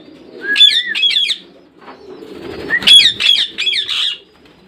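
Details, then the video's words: Parrot calling in two bursts of three or four rapid, harsh squawks, each opened by a rising whistled slur, with soft background chatter. "Sounds of parrot"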